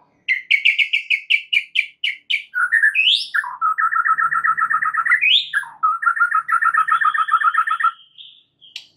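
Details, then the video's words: White-rumped shama in full song, used as a training recording to prompt other shamas to answer: rapid series of whistled notes, then rising sweeps and long runs of repeated double notes, varied phrases delivered quickly. "MASTERAN MUTAI BATU GACOR , 3 DETIK SAJA DIJAMIN NYAUT SEKETIKA"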